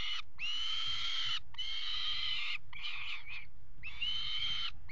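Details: During a peregrine falcon pairing on the ledge of a water tower nest box in Axel, Netherlands, 5 February 2018: four loud, rasping, wailing calls around a second long, one broken and wavering, over low rumble.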